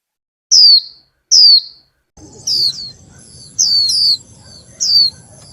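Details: Female Warbling white-eye, a Vietnamese cage bird, stimulating a male to sing. She gives two clean, high, descending chirps, then more chirps over a steady low hum and a thin high tone.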